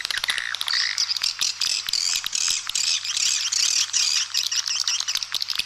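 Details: Swiftlet lure calling sound for feeding areas and flight paths, including some tested nesting calls in a stereo mix. Continuous high, buzzy chattering with sharp clicks, about two to three notes a second, with a steady faint hum beneath.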